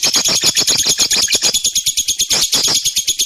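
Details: Lovebird song as a dense, shrill rattle of quick repeated notes with harsh scratchy edges, pulsing steadily about twice as fast as a heartbeat, some fuller raspy bursts mixed in.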